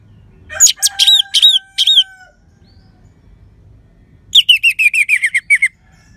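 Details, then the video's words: Orange-headed thrush in lively 'crystal' voice, a lure for sluggish or stalled birds. Loud slurred notes with two long steady lower whistles, a pause, then a rapid string of falling chirps. "Gacornya ANIS MERAH Suara Kristal Bagus Untuk Pancingan Burung Lemas ataupun Macet Dijamin Ngelawan."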